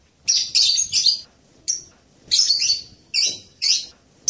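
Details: Serindit producing rapid, scratchy high squeaks and buzzy chirps in irregular clusters, with short pauses between groups.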